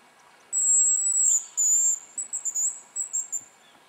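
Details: Hazel grouse on a spring lek in the Yenisei Ridge, Russia, giving a piercing, very high thin whistle, a second long whistle, then a run of short quick whistled notes, clear and close against quiet background.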